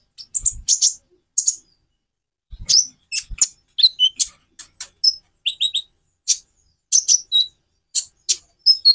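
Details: Konin sunbird song variation used to spur other birds into singing: scattered very high, sharp chips and short trills, with brief whistled notes near the end and a few low knocks.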